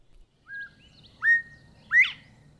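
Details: Northern Bobwhite (Colinus virginianus) at daybreak, birds calling to each other in the pine-covered Red Hills of southwest Georgia: the namesake call of two soft 'bob' notes and then a loud, sharply rising 'white!', over a faint low rumble.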